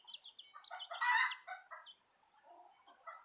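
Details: Chicks of the Southern Rambler and Golden Comet breeds give high thin peeps, then a loud cluster of overlapping chirps around the middle, fading to quieter, lower twitters.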